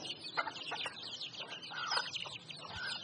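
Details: Wild chickens giving quick, scratchy chirps and clucks in dense overlapping bursts, no steady rhythm, with a low rumble of background noise.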